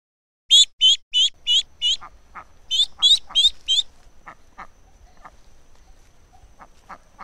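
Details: Ducks with ducklings: a fast series of high, thin peeps, about ten in quick bursts over three seconds, followed by softer, lower quacks and rustling in a quiet setting.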